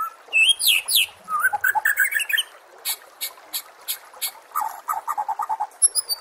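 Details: Energetic white-rumped shama song for contest training: loud whistles and upslurs, quick chattering notes, dense high buzzy bursts, then a run of rapid mid-pitched chips.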